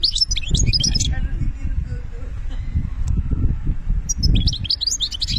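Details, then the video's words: European goldfinch from Algeria singing in benna style: a short tinkling, twittering phrase at the start and another rapid jangle at the end, with low rumbling noise between. "ذوق البنة للحسون"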